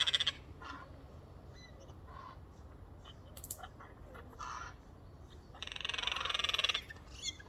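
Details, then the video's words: Four Eurasian jays on a windowsill in a noisy chorus of strange noises: scattered short, harsh, raspy bursts, then a long, loud, grating screech toward the end, over a low background hum. "ארבעה עורבנים משמיעים קולות משונים Four Garrulus birds make strange noises"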